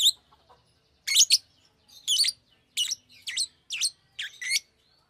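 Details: Single Fischer's lovebird calling in a steady series of harsh, high double chirps. Each paired note comes roughly every three-quarters of a second, and the background is quiet.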